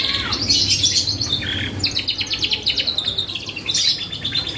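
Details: Canary singing as a lure for other birds: high whistled notes, a dip into lower swept tones, then rapid rolling trills repeating several times a second, faint hum in the background.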